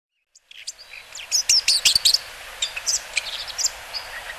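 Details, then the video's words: Bull-headed shrike on the Mukogawa riverbed on 14 September 2015 gives a rapid burst of harsh, high chattering notes, then scattered sharp chirps, over a steady background hiss. "モズ：百舌・百舌鳥： Lanius bucephalus Temminck"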